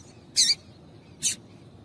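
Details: Two brief buzzy chips, under a second apart, from a female yellow-bellied seedeater calling to excite males.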